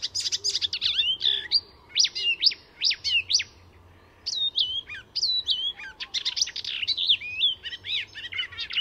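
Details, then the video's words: Icterine warbler singing in full at Fysingen reserve north of Stockholm, Sweden, a master mimic weaving other species' calls and songs into its own. Rapid, varied, high phrases of sharp chirps, whistled slurs and harsh notes, delivered almost without pause. "Icterine Warbler in full song; A master of mimicry…"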